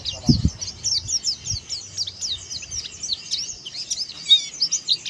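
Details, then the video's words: Dakbal-style oriental white-eye with beak open in song: a continuous high twitter of quick chirps and slurred notes, a couple of low knocks at the start. "CIRI KHAS BUKA PARUH PLECI DAKBAL"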